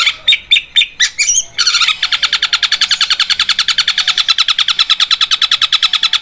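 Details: Caged long-tailed shrike (cendet) indoors: a few loud separated chattering notes, then a fast, even run of harsh buzzy notes like a sewing machine, repeated about three times per second.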